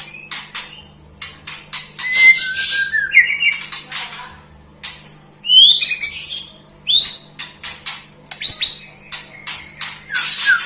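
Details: White-rumped shama in melodious song, built of sharp dry clicks and rasping bursts broken by brief rich whistled phrases and upslurs, all spaced irregularly over a faint hum.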